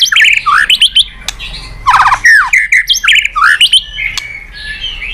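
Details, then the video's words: White-rumped shama singing loudly, with varied whistled and buzzy phrases, rapid trills and downslurred notes in clustered bursts; recording used to encourage other birds to sing. "Masteran MURAI BATU super gacor dan istimewa..cocok tuk pancingan burung lain."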